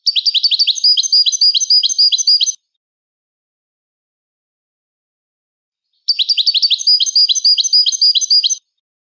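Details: Moroccan goldfinch song in two phrases of about two and a half seconds each. Each is a fast, rippling series of high chirps and trills, separated by a clean silent pause of several seconds.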